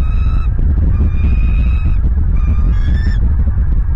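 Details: Bald eagle at a Southwest Florida nest, November 13, 2022, following its mate to find prey at lunchtime, picked up by a nest camera: a series of piping, harmonic-rich notes in short runs, under heavy low wind rumble.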